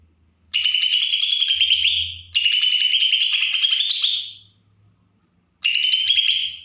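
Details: Bornean green leafbird, Berau, Kalimantan, singing agitated song meant to provoke other birds: long rasping phrases of rapid, buzzy high notes over a steady rising whistle, three phrases with pauses, faint low hum behind.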